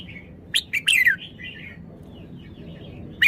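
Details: Red-whiskered bulbul singing a quick phrase of three bright whistled notes, the last sliding downward, followed by soft fading twitters and the start of another note at the end.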